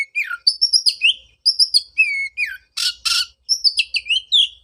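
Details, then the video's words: Oriental magpie-robin song used as therapy for a bird mute after moulting: clear looping whistles and level high notes, two harsh raspy bursts in the middle, then more sweet slurred phrases. "pancingan suara untuk terapi burung kacer"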